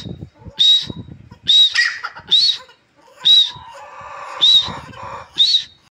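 A grey francolin gives loud, shrill, ringing notes about once a second, each burst harsh and high-pitched, with faint rustling and low background noise between calls.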